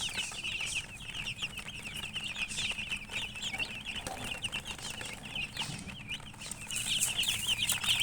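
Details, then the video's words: A group of young chicks chirping nonstop, bright high-pitched peeps piling up quickly and irregularly, briefly softer midway, then swelling again toward the end over a faint low background noise. "Baby "Chicks Chirping" Sound"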